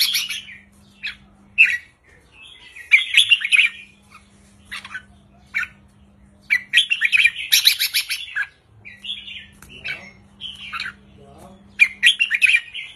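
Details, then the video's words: Red-whiskered bulbul song in the counted-note 3-4-5 style, played to excite caged birds: scattered bursts of quick warbled and chirpy notes with thin high tinkling chatter, separated by short gaps, over a steady low hum. "นกกรงหัวจุกริกมันส์ เพลงสั้นๆ ร้องง่ายๆ สไตล์นับดอก 3-4-5"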